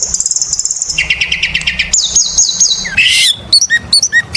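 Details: Oriental magpie-robin lure song: high sustained trilled whistles dropping to lower warbled notes, a burst of harsh chatter, then several short clear whistled notes.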